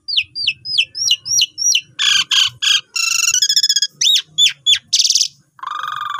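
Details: Asian pied starling giving its long lure song for newly bought birds: a run of about eight hooked chirps, then buzzy stacked notes, a fast trill, sharp falling chips and a final harsh rasp.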